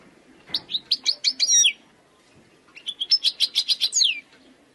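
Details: Wild European goldfinch singing: two bright, rapid bursts of liquid twittering notes, each about a second long, with a short pause between, ending in a sharp downward-sliding note; quiet background.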